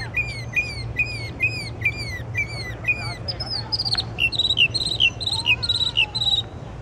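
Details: Unidentified songbird singing in the middle of the night with a varied repertoire: a run of repeated sharp chirped notes, then a switch to ringing, higher whistled phrases repeated in quick series, over a steady low hum.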